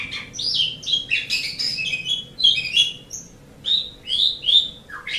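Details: Asian pied starling song used to train pet birds: rapid chattering mixed with clear downslurred whistles, then three spaced loud whistled notes ending in a lower slur.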